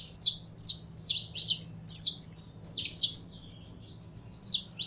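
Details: A saffron finch kept for song is warming up. Its clear, high two-part chirps come in a regular series, roughly two a second, some slurred downward. A soft low hum lies beneath.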